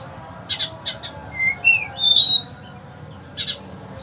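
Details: Caged oriental magpie-robin of the sparrow-imitating type, from Palembang, Indonesia: a few harsh chattering bursts, then a rising thin whistle and a clear sliding whistled note, ending with more short chatters.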